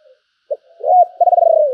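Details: Handsome decoy spotted dove giving its thúc and calling coo: a short low note, then a sliding coo and a rolled, pulsing note that falls away at the end. No other sounds.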